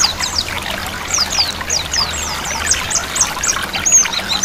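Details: White-eye singing in the ngiriwik style over the sound of flowing water, used to encourage birds to sing; a steady series of high, sharply downslurred notes roughly three per second, with gentle pouring water beneath.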